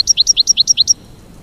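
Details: Goldfinch giving a quick run of about eight bright, alternating high chirps within one second, then silence.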